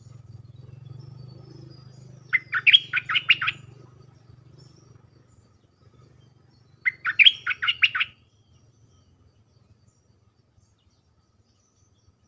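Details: Red-whiskered bulbul singing in the Dok Taeng song style, dense phrases played to teach hand-fed and wild-caught young birds; two bursts of quick bubbly chirped notes about four seconds apart, over a low hum that fades early.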